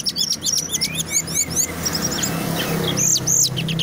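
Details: Brown-chested jungle flycatcher, an Indonesian native kept for its loud, tight song, delivering a rapid run of high looping whistles that fades into a broad hiss of background noise, then a brief final burst.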